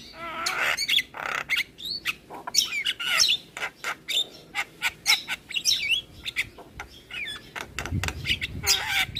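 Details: Javan myna lure song rich in varied fill-in material, meant to make other starlings respond; a busy run of squawks, clicks, buzzy notes and warbled whistles, with a low thud near the end.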